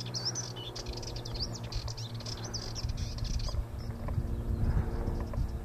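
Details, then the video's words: A Sardinian warbler warbles a fast, scratchy, chattering run of high notes for about three seconds, then falls quiet over a steady low rumble. "Sardinian Warbler...warbling"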